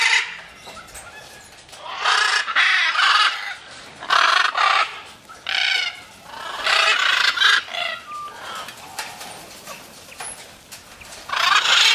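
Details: Harsh squawks from macaws in free flight come in irregular bursts, roughly six loud raucous blasts separated by quieter gaps, the last squawk arriving near the end.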